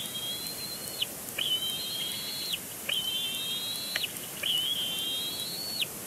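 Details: Bald eagle chick at Big Bear Lake nest, April 27, 2022, protesting loudly at its father, perhaps wanting food; four long, level, high whistled squeals, each slightly rising before snapping downward, about one every one and a half seconds.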